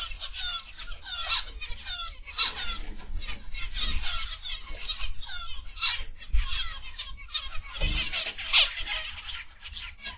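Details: Aviary zebra finches calling together in a busy, high-pitched twittering chorus of short nasal notes in rapid bursts, with occasional low thuds in the background.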